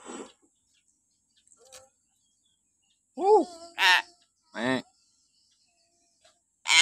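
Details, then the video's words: Morning calls of a common hill myna, used to coax captive birds into calling: arched, nasal, strongly harmonic notes and a rasping shriek, given in short bursts with quiet gaps between them. "suara burung beo melengking"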